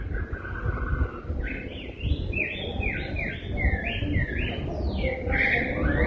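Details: Rose-breasted grosbeak song: a rapid run of rich, slurred whistled notes rising and dipping in quick succession, preceded by a brief softer note, over steady low-pitched background noise.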